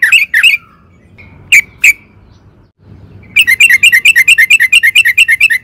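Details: Sooty-headed bulbul singing vigorously as a lure. A few scattered chirps give way, after a silent gap, to a quick, even string of bright, twisting notes.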